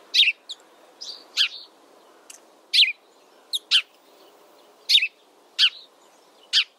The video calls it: Sparrow Serenade: Melodious Songs & Chirps